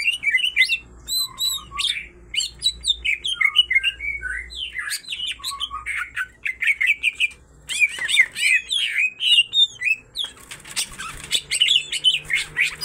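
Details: A pair of greater green leafbirds, both in full song, sing loudly together in a rich, unbroken stream of high whistles, slurred notes and quick chatter, with hardly a pause.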